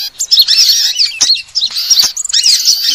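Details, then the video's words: Sunbird lure recording meant to attract all kinds of sunbirds: dense, loud, high-pitched twittering chirps and rapid squeaky notes pouring out almost without pause, with sharp clicks scattered through. "suara pikat semua jenis burung kolibri"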